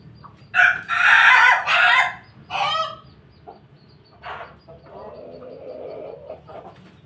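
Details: Crowing cock among a collection of Pelung, Bangkok and Ketawa chickens living with a family flock: a loud, rough, broken crow in two bursts, then a shorter phrase and softer trailing notes, with a quiet murmur of other fowl.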